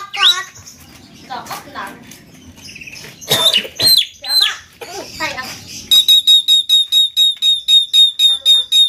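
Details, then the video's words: Javan myna, jalak kebo, giving 'konslet gacor' song: jumbled chatter and scratchy notes at first, then a fast, even series of identical sharp chips, about two each second. "Burung Jalak kebo konslet gacor"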